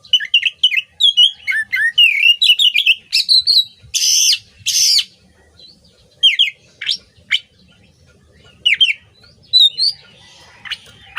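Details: Oriental magpie-robin singing as training material for songbirds: bright whistled notes rising and falling in quick varied phrases, with two loud harsh rasping bursts midway, then scattered sharp upslurred chips.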